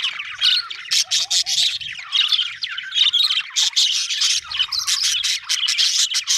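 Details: A happy budgie chorus of rapid high chirps and clicks in quick bursts, grating warbles between, one brief wavy trill early on.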